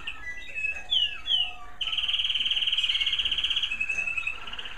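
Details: Caged American Singer canaries in a breeder's bird rooms singing in the evening as it grows darker: sweeping whistled and slurred notes, then a long, fast, even rolling trill with a slightly lower, softer trill to close.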